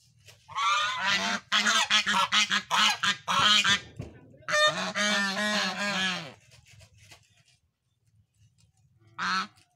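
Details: Goose giving loud, harsh, nasal honks in quick uneven bursts for about six seconds. A short final honk follows after a quiet pause.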